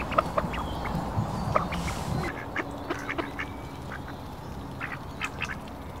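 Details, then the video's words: Mandarin ducks, Pekin ducks and mallards gathered at a park lake for feeding; sparse short quacks spread through the clip over a low background hum. "Ducks Quacking - Mandarin Duck - Mallards - Pekin Ducks"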